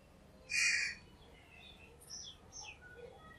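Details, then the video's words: Crow giving one loud, harsh caw lasting about half a second, followed by faint chirps and whistled notes from other small birds in the background. "Crow Bird Crowing Sound | Crow Ki Awaz Naturally"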